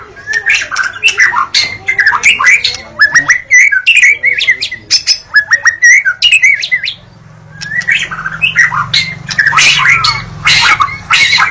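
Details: White-rumped shama (murai batu) from Indonesia in full, vigorous song: a fast, varied run of whistled phrases with sharp chirps and buzzy notes, a short pause near seven seconds, then dense harsher phrases, with faint low hum beneath.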